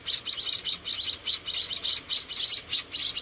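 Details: Four tiny rescued munia chicks being hand-fed, giving high, thin chirps in a steady series, roughly one every half second, each a short bright burst.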